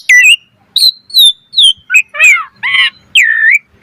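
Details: Asian pied starling singing a varied sequence used as a lure for other starlings: separate whistled phrases, descending slurs, a few harsh rasping notes and a final broad upswept whistle.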